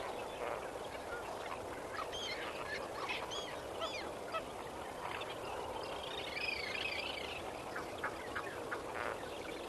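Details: Sunrise at Kamfers Dam, 18 May 2024: a Lesser flamingo flock with goose-like honks standing out from the crowd, stacked nasal notes and a drawn-out wavering call near the middle, set against a continuous murmuring chorus.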